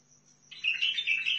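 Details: A short burst of chattering, fluty warbling from a Sihani bulbul of Al-Faw in Basra, notes bubbling up and down in quick succession.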